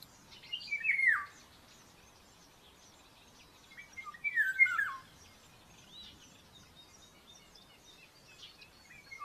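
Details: Common buzzard chick begging aggressively at the nest during breakfast feeding, live nest camera, Tiszalök, Hungary, May 5, 2024: two loud slurred notes sliding down in pitch, about three seconds apart, with faint chirping from other birds behind.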